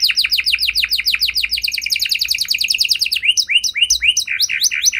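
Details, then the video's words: Canary song used as a lure to make other canaries sing in reply: fast trains of rapid descending notes, shifting into slower spaced upswept whistles near the end. "Kenari Gacor Lagu Istimewa! Langsung Nyaut Kenari Mana Saja Dengan Suara Burung Kenari Ini"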